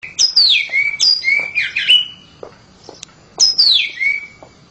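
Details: Household oriental magpie-robin with loud, clear whistled phrases: sharp descending slurs ending in flat sweet notes, delivered in separate bursts with quiet spaces between them.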